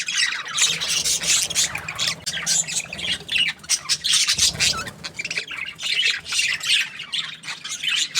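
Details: Budgerigars chirping happily: dense, continuous chatter of many overlapping high, scratchy warbles and squawky notes with no pauses, busy and noisy throughout.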